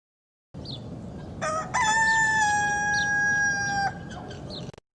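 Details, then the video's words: Rooster giving one full crow, a brief broken start followed by a steady, strained note held for about two seconds. Faint high chirps can be heard around it. "Real Rooster Sound I Sonido de Gallo Real I Vrai Son de Coq"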